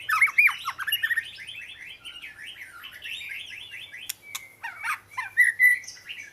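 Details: Oriental magpie-robin giving a long series of quick rising-and-falling whistled notes, then sharp clicks and a few clear whistles.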